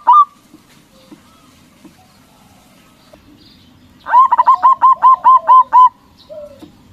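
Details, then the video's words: Loud-voiced local zebra dove, used to provoke rivals into replying: after quiet scattered notes, a rapid rhythmic string of around nine clear, staccato coos, ending with a softer trailing note. "Perkutut lokal Gacor Suara BESAR bikin Cepat Emosi Lawan Auto Nyaut Seketika"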